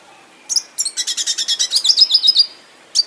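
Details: Red siskin kept in an aviary delivers a short burst of high twittering: a couple of sharp chirps, then an even run of about a dozen quick notes ending in a thin whistle.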